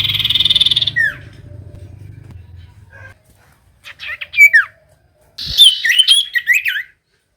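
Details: Common iora song for provoking reluctant singers: an opening buzzy trill with a falling note, soft pause, then lively twisting downslurred whistles and a dense burst of chirps and bright slurs.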